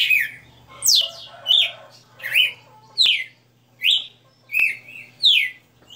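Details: Red-cowled cardinal, a kept bird, singing live: loud whistled notes, each sliding down steeply or swooping up, delivered in a steady series of about seven phrases, with a faint low hum underneath.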